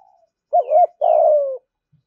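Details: One loud spotted dove phrase in the fast 'thúc gù' style, said to call wild doves quickly to the fighting perch: a wavering two-part low note flows into a long, gently descending coo.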